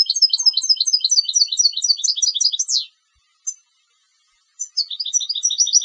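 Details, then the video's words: Competition European goldfinch singing: rapid bright twittering phrases of paired high notes, ending in a downward-sweeping buzzy flourish near three seconds, a short pause with a single note, then a new liquid twittering phrase begins. "Canto del Jilguero de Concurso"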